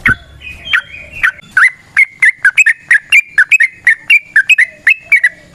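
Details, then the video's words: Wild yellow-vented bulbul used as a lure: bouncy series of short whistled slurs, roughly three per second, some doubled, holding a fairly even pitch, with scattered high ticks. "Trucukan GACOR ngalas ROPEL PANJANG suara alam AMPUH buat pancingan"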